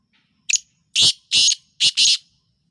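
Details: Black francolin calling: a short clipped note followed by three loud, harsh, buzzy notes in quick rhythm, the first two longer and the last a doubled burst, in an otherwise silent recording.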